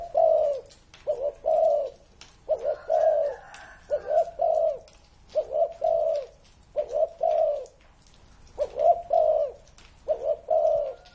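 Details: Spotted dove over 30 years old delivering a steady series of about eight cooing phrases, each two or three soft, hollow notes in quick succession, spaced roughly a second apart.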